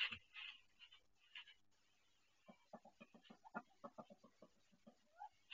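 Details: Female duck, in pain as she delivers her first egg in a self-built nest: a harsh opening cry, then a quiet gap and a run of short, low muttered notes about every third of a second.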